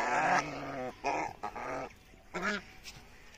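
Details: A greylag goose walking in a field in Bangladesh gives four loud, nasal, harsh honks over about three seconds, each short and slightly wavering, with faint rustling between them.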